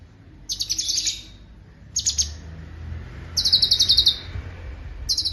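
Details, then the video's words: Cucak cungkok song: short bursts of rapid, very high, sharp chirps, each about half a second, four bursts separated by brief pauses, over a faint low hum. "Irama LaguNYA Jelas , Roll speed, Tembakan Rapat"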